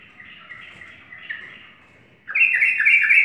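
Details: Yellow-vented bulbul singing in the morning: faint warbling at first, then a loud burst of rapid, bubbly, chattering notes in the second half.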